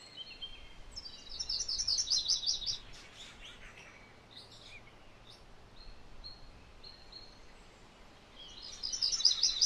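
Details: Two phrases of MacGillivray's warbler song, each a fast string of high, buzzy, rolling notes, with thin whistled calls from other birds in the quiet gap between them.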